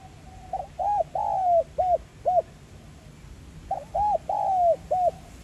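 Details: Spotted dove cooing in the 'giọng son' voice style, played to stimulate captive doves to coo. Two low, hollow coo phrases, each a few short notes and one longer drawn-out note, separated by about three seconds of quiet.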